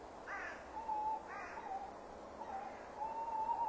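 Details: Male tawny owl calling near a nest box at 17:10 on 15 December 2015, having called for minutes before arriving to sit and preen; steady low whistled hoot notes held level and wavering, with two short harsher calls at the start.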